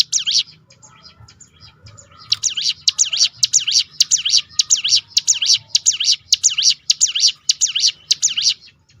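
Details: Ciblek gunung, the hill prinia, giving a 'tembakan' roll meant to lure other birds to sing: after soft scattered notes, a long, steady series of sharp, high, down-up swooping notes, about two each second.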